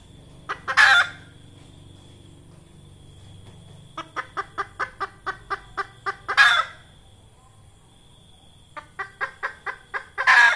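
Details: Red junglefowl hen lure call for trapping: three loud harsh squawks separated by rapid runs of short clucks, about ten clucks per run.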